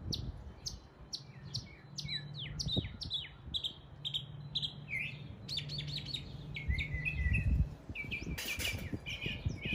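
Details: East Tennessee mockingbird mimicking neighborhood birds, delivering bursts of sharp chirps, downslurred whistles and quick trills in changing patterns, with a low droning hum beneath and a brief loud broadband rasp near the end.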